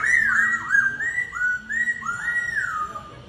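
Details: Laughingthrush singing in a duel: a loud, continuous, rich whistled warble that rolls up and down in looping phrases with brief dips between notes.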